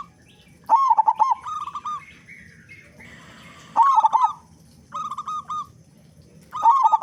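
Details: Loud local zebra dove singing to lure other doves into song: choppy, throaty coo bursts and even trilled phrases repeated about every three seconds, with a faint higher whistle and hiss in the pause.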